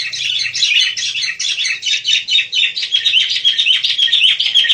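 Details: Wild sooty-headed bulbul in lively chirping; a dense, continuous stream of high, bubbly twitters and chatter that overlap throughout with no pauses.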